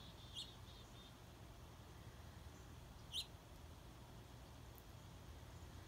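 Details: Juvenile northern cardinals: two short, sharp, high chip notes about three seconds apart, the second stronger, over a steady low rumble of background noise.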